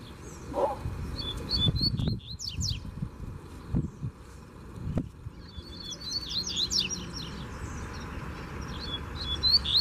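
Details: In Brazil a free-living coleiro confronts a caged male. Intermittent whistled notes and fast buzzy down-strokes come in short phrases, mixed with knocks and handling thuds, ending in a dense rapid burst.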